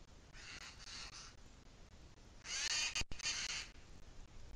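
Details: Booted eagle in the Sierra de Guadarrama, 2 July 2021 at 17:53, calls in two bursts of shrill, rasping chatter, the second louder and longer, over a low steady background rumble.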